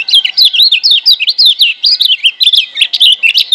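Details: A wild Lombok lemon-bellied white-eye sings a fast, unbroken, high-pitched warble of sweet twittering notes rising and falling, over a faint steady hum; used as a tutor song to get quiet birds singing.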